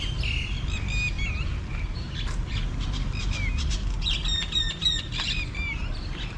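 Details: Red-wattled lapwings, ever-wary, calling constantly at a lakeside in Ayutthaya's temple grounds, Thailand, in the December dry season: sharp, strident, overlapping calls from several birds at once, over a steady low rumble of wind or distant noise.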